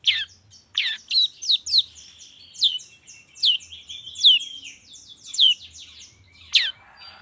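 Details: Long-tailed shrike lure song for the morning, played to make shrikes sing: a string of sharp, high, downward-sweeping whistled notes, several pairs and singles spaced irregularly over seven seconds, with a faint low rumble beneath.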